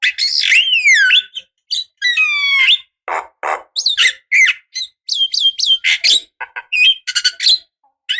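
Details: Javan myna female calling a male, used as a decoy: sweeping whistles, rising looped notes and harsh rasping squawks delivered in an uneven, varied stream.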